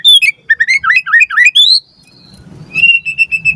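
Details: Lure song of a white-rumped shama for training captive birds: a quick run of bright whistled notes rising at the close, followed by a soft, even series of thin repeated tones.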